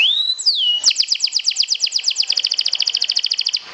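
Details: Canary used as a lure to provoke other canaries and as stress therapy: a smooth rising whistle sliding down, then a loud, rapid rattling trill of about thirty evenly repeated notes.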